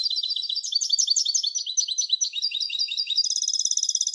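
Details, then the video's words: Continuous song of a European goldfinch hybrid: fast, high, liquid twittering that shifts through varied chirps before settling into a rapid, evenly repeated trill at the end; nothing else audible. "تغريد هجين الحسون Canto De Mixto del Jilguero"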